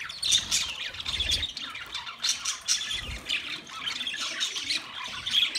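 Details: Chattering budgies, Australian parrots, on 13 March 2024: rapid high twitters, squeaks and warbled chirps from a flock, with faint low thumps in the background.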